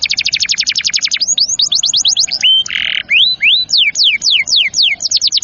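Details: Canary song for tutoring young and stalled birds: a fast trill, downward sweeps, a flat whistle and a harsh buzz, then a series of rising and falling swoops.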